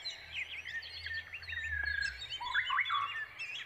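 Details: Brown Prinia chicks calling eagerly for a parent bringing food: a dense, loud burst of high twittering and rapid chirps, rising to an excited flurry of slurred notes near the end.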